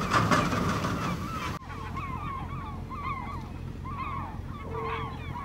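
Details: Flock of Steller's eiders at Vardø, Norway, on 5 April 2017, cold and windless, giving short, nasal, slightly rising calls several times a second over a steady low rumble after an opening burst of noise.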